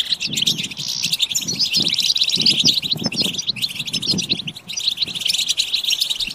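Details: Flock of European goldfinches twittering continuously, high rapid chirps and buzzy trills layered over repeated soft low thumps and fluttering noises throughout.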